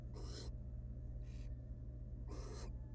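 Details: Wild barn owl at a nest with three nestlings, the female having removed an unhatched egg; harsh broadband hissing screeches, three bursts about a second apart, over a steady low hum.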